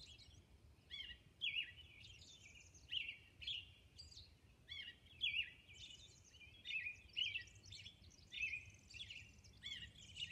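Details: Continuous dawn singing by a Robin on Orcas Island: clear, caroling whistled phrases in an irregular string, interspersed with high, scratchy squeaks, against a low, steady background rumble.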